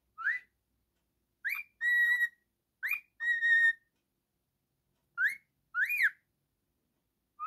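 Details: Singing male cockatiel kept as a pet: quick rising whistles paired with level, rich drawn-out notes, then arched upslurred whistles, repeated in an irregular rhythm.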